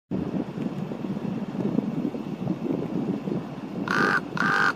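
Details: A common raven calling on a rainy day at Baylands Nature Preserve: after a stretch of low rumbling background noise, two loud, hoarse caws in quick succession.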